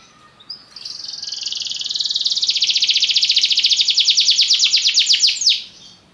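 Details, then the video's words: A Belgian canary delivers one sustained trill that starts as a smooth buzz, grows louder and breaks into distinct rapid pulses, about three per second, before stopping abruptly. "Canários belgas atraem o som das canções preguiçosas dos canários"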